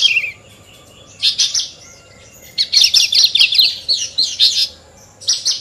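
Horsfield's bush lark sings in three bursts of rapid, high chirps and trills, the longest running about two seconds, with short silent gaps between.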